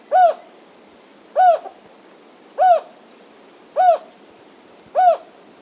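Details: Endangered Jocotoco antpitta at Reserva Tapichalaca, Valladolid, Zamora-Chinchipe, on the east Andean slope of Ecuador: low hollow hooting notes, each briefly rising then falling, repeated about every 1.2 seconds, five in all.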